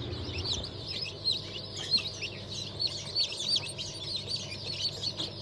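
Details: Chorus of newly hatched chicks from a 31 May 2023 hatch of turkey, bantam, Sussex and Australorp birds: dense, high, thin peeps overlapping constantly, some louder sharp chirps standing out, over a low steady mechanical hum.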